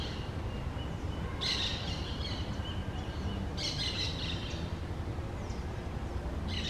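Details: Green parakeets at their newly found nest give gritty, grating squawks. Three bursts are heard, the last cut short at the end, set against a continuous low roar of ambient noise.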